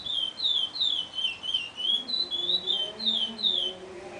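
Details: A chestnut-bellied seed finch (Sporophila angolensis) still in juvenile plumage sings bilu-tetéia song: an unbroken run of clear, fluty whistled phrases, each rising and falling quickly, with a faint low murmur underneath.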